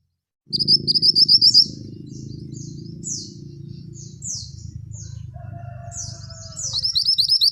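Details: Singing male scarlet minivet, song of ngerol tembak type: a bright fast trill opens, then scattered high descending slurs, and the rolling trill returns at the end above a steady low hum.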